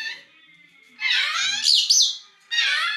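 Grey parrot giving harsh, buzzy squawks with a sharp whistled rise in the middle, two bursts about a second apart, indoors.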